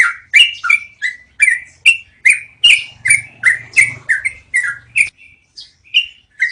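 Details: Yellow-vented bulbul in a rolling song used as cage-bird training audio: a rapid run of rich, slurred notes that thins after about five seconds into a few softer, spaced phrases, with a faint low hum in the middle.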